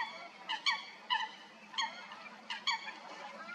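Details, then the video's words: Eurasian coots in a fight at Stodmarsh, Kent, UK: clipped, metallic honks arriving in pairs and singles, separated by short pauses. "Coots fighting"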